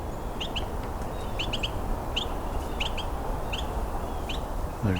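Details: A pair of Carolina wrens in winter (about -10 °C) give one of their many calls, short, sharp, upslurred 'peet' notes, a few each second, one bird near and one farther off, over a steady low rumble of wind or traffic.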